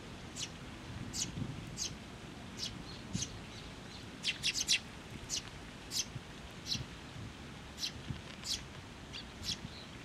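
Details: Sparrows, young and adults, coming to a post for food at a Tenmangu shrine in June 2024: thin, high chirps spaced unevenly, a tight cluster near the middle, set against low background noise.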